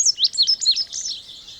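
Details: Indigo bunting (Passerina cyanea) singing: a quick run of high, sweet, slurred notes, mostly in pairs, that falls slightly in pitch and fades at the end, with faint steady low hiss beneath.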